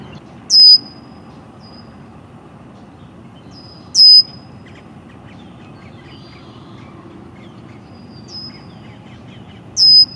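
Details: Male red-winged blackbird at Green Cay Wetlands, Boynton Beach, Florida, mid April 2023: sharp high piercing whistled calls, each brief, repeated about every three and a half seconds, three in all, over low steady background rumble.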